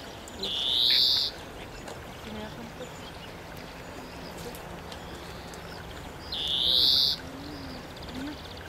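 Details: A European greenfinch (Chloris chloris) in Córdoba, Spain, April 2011, gives two drawn-out, buzzy, rising wheezes about six seconds apart, each under a second, over a quiet background.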